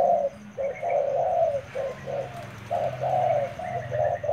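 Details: Trained decoy spotted dove repeating a low, throaty coo in a steady series of short, husky notes, with faint higher bird chirps behind.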